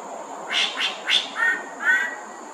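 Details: Singing greater racket-tailed drongo, resident in Singapore's Thomson Nature Park, perched: three quick grating notes followed by two smoother, level whistled notes, set against a continuous shrill insect buzz.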